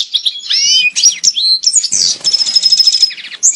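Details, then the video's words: European goldfinch mating song to bring birds into breeding condition: lively, high twittering of slurred whistles and tinkling notes, leading into a fast buzzy trill in the second half. "Saka kuşu çiftleşme sesi (saka kızıştırma)sesi"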